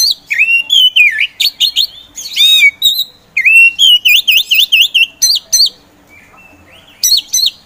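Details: A captive Oriental magpie-robin, slow to start but soon in full song, pours out a rich, varied song of loud whistles, rapid warbling trills and sharp rising notes in quick bursts, with a short pause before resuming.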